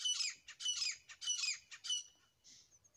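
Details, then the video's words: Grey francolin, a pair. Four loud, harsh squawking bursts follow one another about every half second, then a softer fading note. "Grey Partridge Sounds . Francolin Voice . Dasi teetar Awaz . boli . جوڑے کی آواز"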